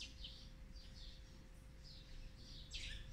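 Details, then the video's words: Olive-backed sunbird nestlings of the fourth brood, on the 18th day of feeding, 8 March 2020, give thin, high, squeaky begging notes in quick bursts about twice a second over low rumble and steady hum. "นกกินปลีอกเหลือง รุ่น๔ ป้อนอาหารวันที่๑๘"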